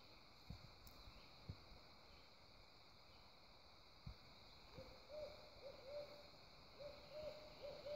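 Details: Two owls of unknown species call back and forth at Prettyboy Reservoir on 19 July 2018, heard while fishing, one nearer and one farther off. After a few knocks, mid-pitched wavering hoots run in bursts over steady hiss.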